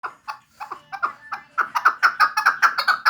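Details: Chukar partridge from Vanj: a series of clucking notes near the same pitch, starting sparse and speeding up into a steady, louder run of about a dozen sharp chuk notes.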